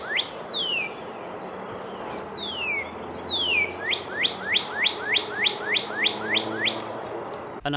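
Northern Cardinal song: three long, clear down-slurred whistles, then a rapid run of about ten short, bright rising chips, over a faint background hiss.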